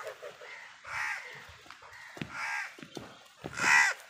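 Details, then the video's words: An angry crow tearing a leaf, with crows fighting for food nearby, gives harsh, rasping caws in short bursts roughly every second, the last one loudest, with a few softer clipped notes in between. "crow torns the leaf angrily |angry kauwa ki awaaz Crow Sound"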